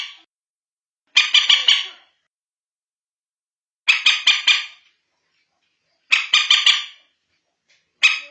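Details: Night lure recording (manyapung) of bantiung, the common moorhen: four loud rattling bursts of three or four rapid harsh notes, repeated roughly every two and a half seconds in silence.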